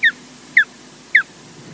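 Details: Osprey at the Loch Garten nest in Scotland, incubating after nest intrusions: three short, clear downslurred whistled notes spaced about half a second apart over a faint steady background hiss.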